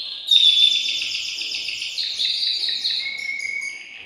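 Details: Excited male canary in a cage singing to rouse the female for mating: a loud onset of rapid buzzy trills, shifting rolled phrases, then a long pure whistled tone.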